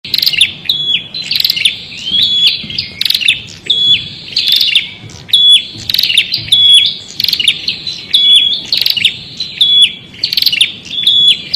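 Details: Prinia singing steadily, a run of buzzy, chirping phrases with short whistled notes, repeated about every few seconds over a quiet background.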